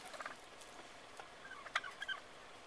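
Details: A lone wild turkey that habitually hangs around a small community's gate gives short, rapid gobbling bursts, a rattling burble near the start and a louder gobble toward the end, with a person speaking softly nearby.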